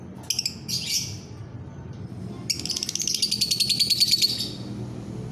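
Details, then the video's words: Lovebird training song (masteran) by day: a few harsh squeaks, then a fast, regular rattling trill of high, chattering notes lasting nearly two seconds, with a faint low hum beneath. "Masteran lovebird siang hari"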